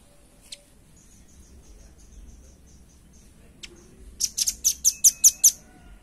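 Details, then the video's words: Velvet-fronted nuthatch for luring and training other birds: faint thin whistles and an isolated tick at first, then a loud burst of about seven sharp, high, evenly spaced notes near the end over a soft hiss. "SUARA PANCINGAN & MASTERAN RAMBATAN PARUH MERAH JERNIH"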